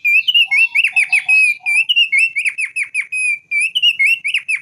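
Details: Thick-billed white-eye, endemic to Sumbawa and Flores, in continuous loud song. High clear whistles alternate with quick downward-slurred notes, with a few lower chattering notes early on. The phrases run without pause.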